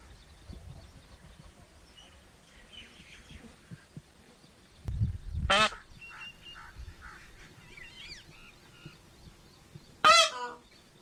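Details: Peacock and peahen calling. Two loud, harsh, brassy honking calls ring out about four and a half seconds apart, each brief and rich in overtones. Faint chirps and twitters of other birds fill the gaps, and a low thudding rumble comes just before the first call.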